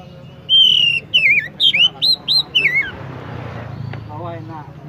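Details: Oriental magpie-robin (kacer) song: a rapid sequence of about eight sweet, wavering whistled notes, some sliding downward, delivered in a two-and-a-half-second burst, followed by quiet background hum and a faint distant chirp.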